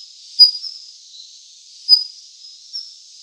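A Daurian redstart gives three brief, thin, high notes, roughly one every second or so, over a steady high hiss like insects.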